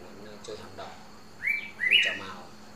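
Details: Male Red-whiskered bulbul, hand-raised from young and very tame, a kept bird in Ba Vì, Hanoi, Vietnam, of an unusual 'green' variety; two short bright whistled phrases, the second louder and slightly rising, with a man talking faintly in the background.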